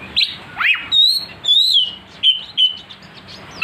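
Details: Oriental magpie-robin song, used as a lure to rouse a kacer into aggressive singing: loud, clear whistled notes with steep downward and rising slurs, about six separate phrases with short pauses between them.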